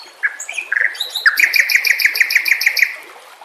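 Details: A white-rumped shama sings against nature sounds and trickling water; a few varied rising whistles lead into a quick, even series of about ten bright, chipping notes.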